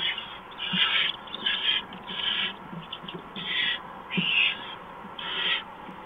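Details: Barn owl nest before dawn in March, mouse delivery; a run of rough hissing screeches, seven bursts in six seconds, irregularly spaced, with scraping and shuffling noises between.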